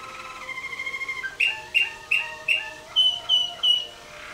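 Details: Competition Waterslager canary in cage 2C, 2011 WWC contest, 114 points (6 Klok, 5 Bol): soft held tones, then a row of separate ringing, bell-like notes about every third of a second, finishing with higher clear notes.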